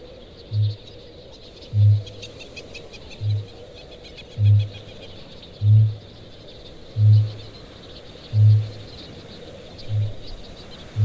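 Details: At night in the breeding season on an island, a male kākāpō booms deep, resonant, very low pulses about every second and a half, nine in all, over a high chattering chorus of tens of thousands of breeding petrels and shearwaters.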